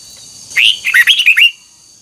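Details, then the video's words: Red-whiskered bulbul in voice training, giving a short twisting double-note phrase: one rising slurred whistle followed by four quick bouncy notes, liquid and cheerful, over a faint steady high hiss. "Luyện giọng chào mào hót hay âm kép xoắn, ép chào mào hót âm kép già rừng hay tuyệt!"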